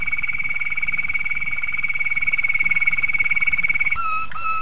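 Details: Training song of a Malinois Waterslager canary for young birds: a long, even, rapidly pulsing trill held on one pitch for about four seconds, then switching to a lower bubbling, water-like roll.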